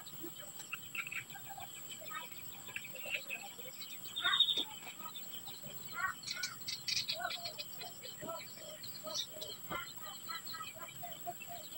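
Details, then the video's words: Society finch around hatching time, a steady stream of short, thin chirps and tweets scattered through the clip, some high and clipped, others slightly lower, with a brief louder buzzy note near the middle over a faint background hiss. "These are the finch hatching activities of the Society finch"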